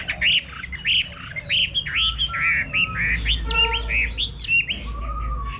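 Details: Chinese hwamei singing in a countryside garden, a choppy series of loud arched whistles and harsher notes at an uneven pace, with low rumbling noise beneath.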